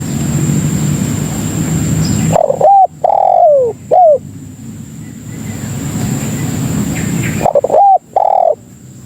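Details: Spotted dove lure call for attracting other doves: after two seconds of broad background hiss, two low cooing phrases, each a short doubled note then a drawn-out descending coo, separated by a pause.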